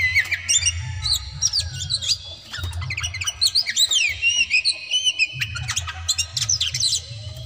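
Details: Oriental magpie-robin (kacer daput) in persistent, full-volley song meant to provoke rivals into fighting: rapid varied whistles, slurred rising and falling notes and sharp chirps in dense bursts, with a steady low hum underneath.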